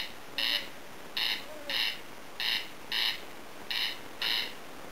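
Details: A corn crake calling in tall grass near a home in Lääne-Virumaa, Estonia, hidden and falling silent when approached: dry, rasping double crex-crex notes, each pair about a second apart, over faint steady hiss.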